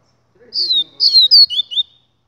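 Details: Double-collared seedeater giving a brisk burst of high, sweet whistles, mostly downslurred notes run together in about a second and a half, with faint lower sounds underneath.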